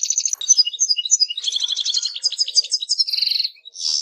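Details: Goldfinch song as a rapid run of sharp twittering notes and a brief buzzy trill near the end, then a short tinkling phrase after a tiny gap.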